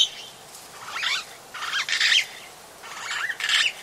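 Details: Long-tailed glossy starling at Oyster Creek, Coast Road, The Gambia, recorded close; three bursts of harsh, churring, slurred notes about a second apart, with quiet gaps between.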